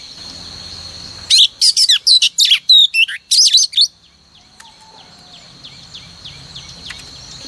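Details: Female oriental magpie-robin used every morning to prompt males into song: a short loud burst of rapid whistles and harsh chirps, then soft distant notes over a steady high hum.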